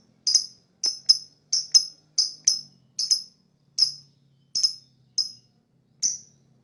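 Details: Lovebird chirping used for attracting other birds: single and paired bright high chirps at irregular intervals, slowing toward the end, over a faint low hum.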